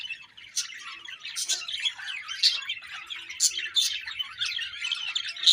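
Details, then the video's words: Budgerigars in a happy colony chirping: dense, overlapping high warbled chirps and short squeaky notes, with sharper bright calls standing out about once a second over the steady chatter. "Budgie birds Happy Colony Chirping"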